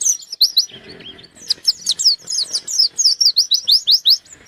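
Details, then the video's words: White-eye song aimed at a rival, a dense run of high sharp slurred notes building into rapid regular descending chirps, loud and continuous. "Burung pleci gacor nyari lawan"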